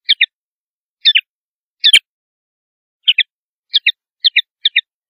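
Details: Common linnet, a male searching for a singing perch in shrub or hedge: clipped doubled twitters repeated roughly every half-second to second, quickening toward the end.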